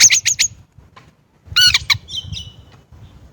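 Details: Chinese blackbird: a quick run of harsh, squawky chattering notes, a pause, then a louder burst of rasping notes trailing into a thin warbled twitter; low background rumble.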